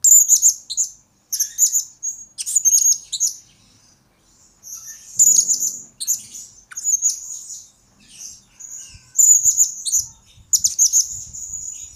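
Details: Blue-crowned hanging parrot song, a lure and master recording for training birds: repeated bursts of very high squeaky tweets and thin whistles, a pause of nearly two seconds midway, faint low thumps.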